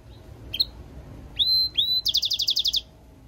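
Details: European goldfinch × canary mule in song: a faint high chip, two clear whistled notes sweeping down then held, then a rapid run of about ten bright, repeated high pulses.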